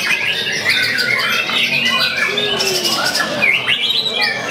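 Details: Young, talented white-rumped shama singing vigorously with a lively performance: rapid whistled and chattering phrases with quick rising and falling sweeps, high and bright throughout, over a steady background of voices and a faint musical tone.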